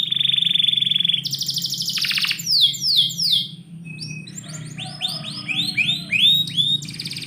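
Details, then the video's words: Morning song of a canary kept indoors: a fast steady trill opens, followed by a buzzy burst, repeated downward sweeps, then a mix of short looping whistled notes rising and falling; low background hum. "KICAU BURUNG KENARI - DIPAGI HARI DALAM RUMAH"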